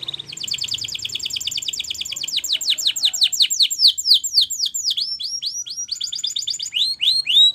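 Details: Spanish Timbrado canary training song: a buzzy steady trill gives way to fast, bright, downward-sweeping notes about four per second, then a quicker rolling trill at the end.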